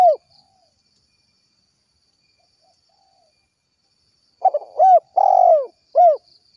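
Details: Tekukur (spotted dove) in the kuk 1 style, calling its companions: a short coo, a long silence, then a burst of stuttered notes followed by arched coos, one long and falling, ending on a clipped coo.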